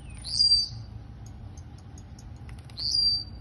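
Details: Blue-black grassquit (Volatinia jacarina) song, Campo Grande, Rio de Janeiro: two high, buzzy, upslurred notes about two and a half seconds apart, faint ticking between, over a low background hum.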